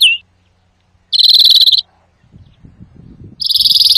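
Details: Greenfinch song used for trapping and training: a loud buzzy trill lasting under a second, a gap with soft rustling, then another buzzy trill starting.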